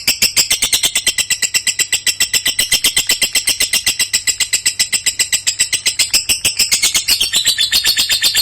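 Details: Lovebird delivering long-duration contest song: a relentless rapid series of high, scratchy pulsed notes, closely spaced and steady for over eight seconds, the tone shifting higher near the end.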